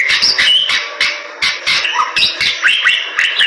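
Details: Short burst of Bali myna song: harsh, throaty chatter notes with a few slurred whistles, rising near the end.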